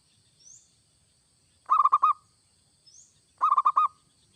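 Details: Perkutut or zebra dove, local or Bangkok type, in lively song used to stir other doves into singing: two tight bursts of about five rolling coos, roughly a second and a half apart, with faint soft chirps between.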